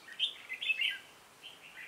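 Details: Brief burst from a red-whiskered bulbul decoy calling wild birds in during trapping, 26 November 2017: a few quick bright chirps, then a faint trailing twitter.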